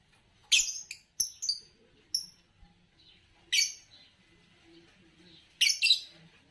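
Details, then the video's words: Green Fischer's lovebird uttering a loud harsh chirp, then several short high piping notes, followed by further rasping chirp bursts spaced a couple of seconds apart over a quiet background. "10 Charming Variations of Lovebird Chirping Sounds"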